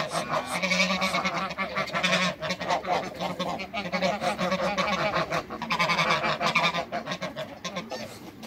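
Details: Two male and one female Toulouse geese kept with other waterbirds in a backyard, honking almost without pause: harsh, nasal, overlapping honks that rise and fall in loud bursts across the whole stretch.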